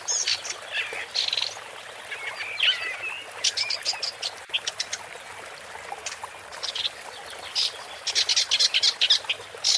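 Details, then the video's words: Woodchat shrike (Lanius senator) delivering a long, varied song: bursts of sharp high clicks and rapid scratchy notes, with a few slurred whistles early on, over a light hiss. "Woodchat Strike (Lanius Senator) Bird Song"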